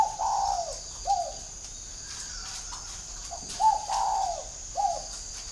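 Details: Spotted dove serving as a decoy bird, whistle-like in voice. It gives two matching phrases of soft low coos, each a long falling coo followed by a short clipped one, about three seconds apart, over background hiss.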